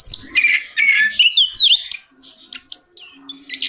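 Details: Orange-headed thrush song with swooping, slurred whistles and twisting notes, followed by softer higher phrases, fast and varied.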